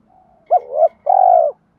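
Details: Decoy spotted dove coo used to stimulate wild-caught doves: a hooked two-part low coo, then one long even rolling note, over a quiet background.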